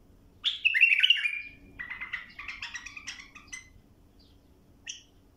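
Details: A bulbul tutoring song for young birds: a loud, liquid descending warble, followed by a stuttering series of short, buzzy notes and a single clear chirp near the end, over a faint hum.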